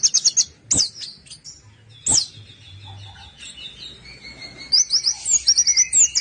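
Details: Orange-headed thrush song played to get other birds singing: rapid high stuttered notes, sharp downslurred chirps, a long faint thin whistle, then renewed quick trilled phrases.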